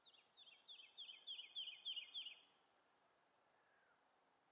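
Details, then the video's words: A woodlark sings a two-second run of about eight sweet, slightly falling notes that quicken as they go; at about second 2 a skylark's migration flight call is also heard. "Zingende Boomleeuwerik"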